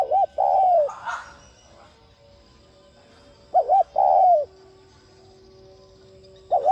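A spotted dove gives low, mellow coos in short phrases, a quick double note then a longer drawn-out coo, with a faint steady hum behind.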